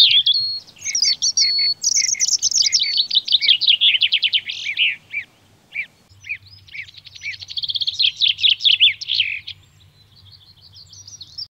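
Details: Common chaffinch delivering a long, bright trill that steps down in pitch over several seconds into a flourish, then after a pause a second rapid descending phrase, closing with a faint thin note; soft low hum behind.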